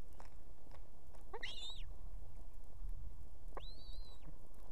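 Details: Female osprey at a nest with two chicks in Estonia, calling the male to bring food; two clear rising-then-falling whistled squeals about two seconds apart over steady background hiss.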